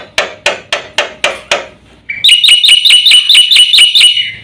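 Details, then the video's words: Black-winged starling master recording made to provoke other birds, full of varied phrases: a row of sharp broadband knocking notes, then a fast, regular string of bright, shrill, buzzy high notes repeated several times a second. "suara masteran jalak putih gacor full isian"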